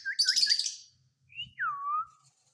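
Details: Pet rose-ringed parakeet that has come out of its cage gives a burst of harsh raspy screeching with three quick looping whistles, then a short rising whistle and a long clear whistle sliding downward.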